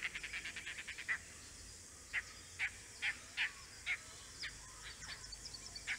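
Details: Andaman Islands recording of an Oriental dollarbird: a quick burst of rapid rasping notes at the start, then single harsh calls spaced about half a second apart, trailing into softer, quieter notes.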